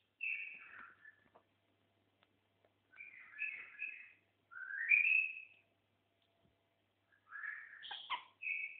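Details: A seven-year-old white-eared bulbul sings separate whistled and warbled phrases, some rising, spaced by pauses of one to two seconds, in a quiet setting.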